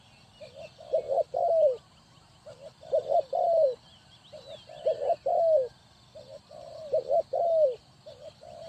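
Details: Decoy spotted dove for trapping wild doves, Ninh Thuận; regular cooing phrases, each soft lead notes then a doubled clipped hoot and an emphatic falling coo, repeated about every two seconds, small birds twittering faintly.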